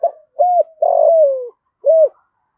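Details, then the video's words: Spotted dove cooing in the thổ cục đinh voice style to call other doves: low soft hooting coos, one long drawn note sliding downward, then a short final coo, quiet background. "cu gay giong tho cuc dinh chỉ gáy gọi bổi"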